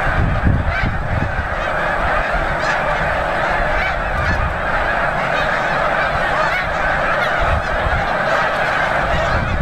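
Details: Snow geese massed in huge numbers at Bombay Hook National Wildlife Refuge, Delaware, in early December 2006, producing a continuous wall of layered honks and yelps, unbroken and evenly loud.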